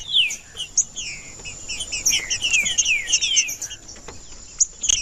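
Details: Green-winged saltator male singing in warm-up style, a continuous stream of bright whistled slurs that mostly fall in pitch, delivered in rapid, irregular phrases, with a constant thin high whine behind.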